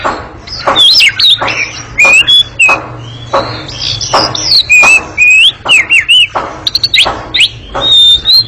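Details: Oriental magpie-robin in a long, noisy ngekek chatter: loud clicking notes alternating with looping, zigzag whistles at high pitch, in an energetic run with only short gaps.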